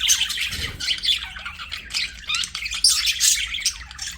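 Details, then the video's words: Budgies chattering as they play, a steady run of scratchy warbles and bright squeaks, plus a brief low thump near the start. "BUDGIES SINGING PLAYING"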